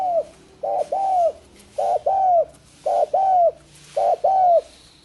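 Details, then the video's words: Spotted dove cooing, a species growing rare in the wild from hunting and now often bred by keepers: four evenly spaced phrases, each a short note and a longer falling coo, about one second apart. "Suara Kicau burung tekukur mardu banget"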